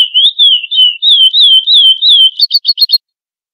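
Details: Classic Florianópolis song of a chestnut-bellied seed finch, meant for teaching young birds: smooth undulating whistles run together, then end in a quick series of five short doubled chips before silence.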